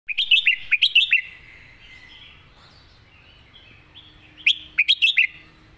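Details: Red-whiskered bulbul competition bird giving a master song: two bursts of four or five loud, quick whistled notes, each bending up then down, separated by a quiet stretch with faint background chatter.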